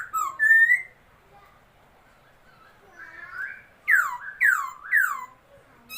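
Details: Laughingthrush, a new bird, recorded 27/2/2022: a clear swooping whistle, a quiet stretch, then three loud downslurred, harsh, ringing calls about half a second apart.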